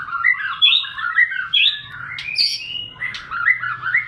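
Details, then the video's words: Murai batu, the White-rumped shama, singing a morning-and-evening lure song: bright whistled notes and quick warbled trills tumbling up and down, with a short harsh burst midway, then more rapid whistles. "Pancingan murai batu untuk pagi dan sore hari"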